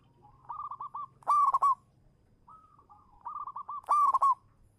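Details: Champion local zebra dove singing as a lure: twice, a run of four or five soft stuttered coos builds into a loud, quick-fire rolling burst, with a brief pause between the two phrases.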